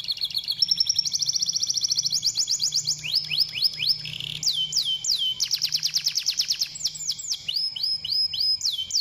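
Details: Song of a canary, played to encourage other canaries to sing: continuous high rolling trills switching between phrases, including rising repeated notes, a series of swooping down-slurred whistles and fast chattering tours, delivered without pause.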